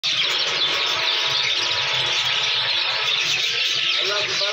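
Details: A talking rose-ringed parakeet chatters in shrill, squeaky, speech-like phrases mixed with squeals, the sound dense and unbroken throughout.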